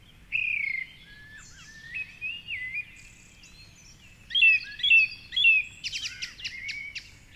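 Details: Dawn chorus at 4.45am in Cork City along the Curragheen River. A male song thrush on a tall tree sings a fluty whistle, then a sharp phrase three times over, then a scratchy burst. Quieter birds call behind him.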